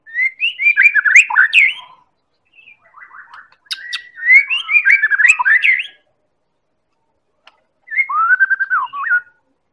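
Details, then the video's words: White-rumped shama, Medan type, singing a lure to prompt other birds: dense bursts of rapid varied chattering whistles in three loud bouts separated by short pauses. "Real Pancingan Murai Batu Medan Super"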